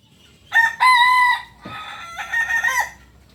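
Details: Kukuak Balenggek rooster, a singing chicken breed native to Solok, West Sumatra, Indonesia, gives a long harmonic crow: a loud, steady opening phrase, then a quieter, wavering continuation with several rising and falling syllables, against a quiet background.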